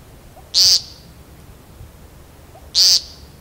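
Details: American Woodcock recorded at Forks of the River, Knoxville, Tennessee, giving its spring peent call, which males give at dawn or dusk with aerial displays to attract females: two loud, harsh, nasal buzzy notes about two seconds apart, each preceded by a faint soft note, over a quiet background.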